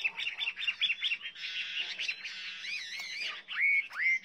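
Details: Chinese hwamei singing a rich, dense warble of overlapping notes that gives way to clear, drawn-out whistles rising and falling, with a faint low hum underneath.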